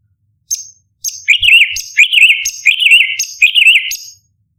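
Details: Cucak cungkok, the orange-bellied leafbird, singing 'tembakan' contest-tutor phrases: four quick repeats of a high piercing note leading into a lower rolling, wobbling whistle, in a clean, quiet recording.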